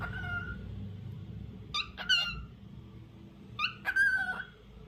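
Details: A lutino cockatiel calls in two bursts of rich, slightly buzzy chirps, each cluster of two or three notes ending in a brief level whistle, against a quiet room hum.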